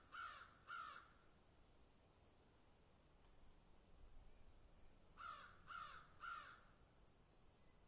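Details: Crows picking and eating utter a pair of rough, hoarse caws, fall quiet for several seconds, then give three more evenly spaced caws, over a constant high-pitched insect drone and soft ticking.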